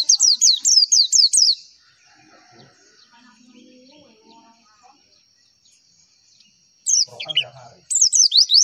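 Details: Javan white-eye tutor song: quick bursts of high, rapidly repeated downslurred chirps open the recording, then near silence with faint low murmurs, then the bright twittering returns near the end.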